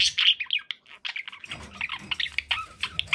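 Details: Budgerigars kept as pets, several birds warbling together in quick, uneven chirps and squeaky notes, with a low background rumble joining after the first second.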